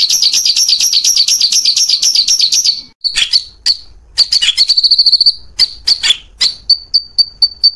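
A white-rumped shama sings loud, varied phrases, from rolling high trills to sharp notes and clear repeated whistles.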